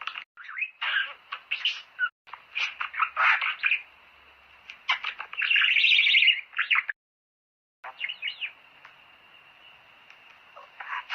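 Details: Budgerigar song for mating stimulation: clicking, chattering bursts, a sustained buzzy warble near six seconds, a silent break, then sparse chirps over a faint steady hum.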